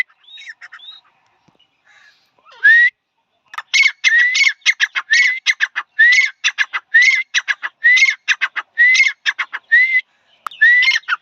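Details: Male grey francolin (dhakhni tetar) starting with a few faint scattered notes, then breaking into a loud, regular run of grating phrases with upslurred whistles, roughly one each second.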